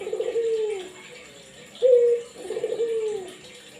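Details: Barbary dove kept to set other doves calling: a clipped bright note followed by a soft rolling coo sliding downward, repeated, with a thin background hum.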